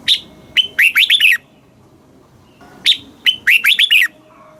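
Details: Red-whiskered bulbul of Thailand, southern master-style song for teaching chicks and exciting caged birds: two matching phrases, each a sharp opening note followed by four fast, looping whistles, separated by about a second and a half of quiet.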